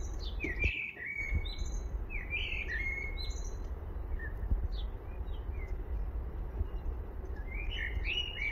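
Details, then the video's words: Eurasian blackbird song of short warbled whistles followed by high, scratchy twittering notes, several phrases over a steady hiss of outdoor background noise. "Eurasian Blackbird song"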